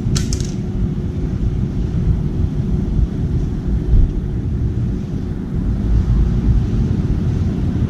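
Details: Heavy low wind rumble buffets the microphone, with a short sharp knock at the start and no animal voice.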